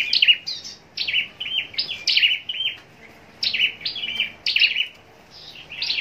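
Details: Captive scarlet-backed flowerpecker kept for singing contests in Long Thành, Vietnam, singing thin, high, sharply falling notes in short twittering bursts roughly once a second, with quiet gaps between phrases.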